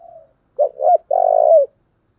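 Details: Spotted dove coo in the very strong 'thổ' style, serving as a decoy model for luring: the tail of a soft coo, then two swelling notes and a long, loud, rolling coo with a brief rise before it stops.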